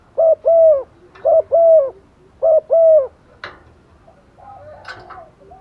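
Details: Female spotted dove decoy calling to males in the rainy season, three fast coo phrases of a short double note and a longer falling note, followed by clicks and rustling handling noise.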